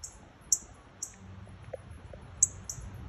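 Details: Loud baby northern cardinals near a front door, parents nearby: a few sharp, very high chip notes spaced about half a second apart over a quiet low hum.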